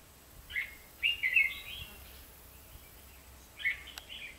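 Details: Red-whiskered bulbul heard during trapping on 23 October 2016: brief clusters of clear, chirpy warbled notes come in three separate bursts with quiet gaps between them, and a faint click sounds near the end.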